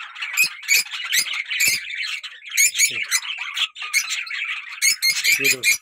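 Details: A pair of pet lovebirds calling: harsh, rapid squawks and chatters in quick bursts, with brief low human voice sounds near the end.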